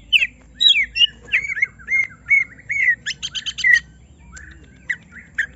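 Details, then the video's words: Greater green leafbird, kept in a cage and provoked to sing its whole repertoire: bright looping whistles, a rapid stuttered series of clipped notes, then softer scattered phrases. "Semua Cucak Ijo Langsung Emosi Bongkar Isian mendengar suara Cucak Ijo lagi di Trek Emosi ini"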